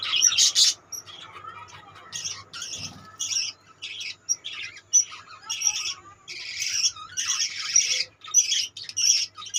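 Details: A budgerigar colony chattering: bursts of scratchy, high warbling and chirps come in quick clusters separated by short near-silent gaps, with one louder harsh burst at the start.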